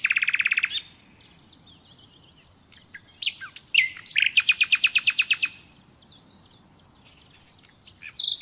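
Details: Common nightingale singing: a rapid buzzy rattle, a pause, then quiet thin notes leading into a loud, fast run of sharp repeated notes, with scattered high whistles between phrases.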